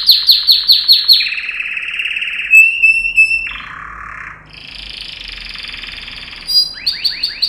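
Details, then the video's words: Yellow canary, a single male singing as a training song for other canaries: rapid descending chirp trills, a long buzzy rolling tour, a steady whistled note, then a lower rattling roll and quick rising chirps to finish. "Canary Training Song 25 min-Your canary will sing!"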